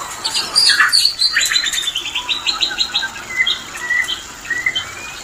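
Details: White-rumped shama mating call used to bring shamas into breeding condition: a fast run of repeated high chirping notes, then spaced clear whistled phrases, some rising, with a faint hiss behind.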